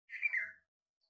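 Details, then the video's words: A bulbul gives one short, slightly harsh call, about half a second long, dropping a little at the end; nothing else is heard. "Bulbul pakshi"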